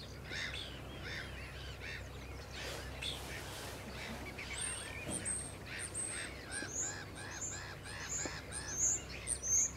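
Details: Pied avocets at Rye Harbour Nature Reserve give a busy chorus of short, liquid kluit notes, many overlapping, with sharp high chips and a low background rumble beneath.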